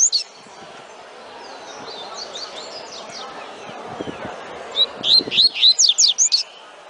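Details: Double-collared seedeater performing tui tui song: a faint run of high slurred notes early on, then a loud, rapid burst of about eight sharp rising whistles near the end.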